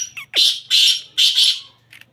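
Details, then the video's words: Harsh grating call of a black francolin (kala teetar): a brief rising squeal followed by three loud, rasping broadband notes spaced about half a second apart, over a faint low hum. "Kala teetar awaz | Teetar ki awaz | Black teetar voice"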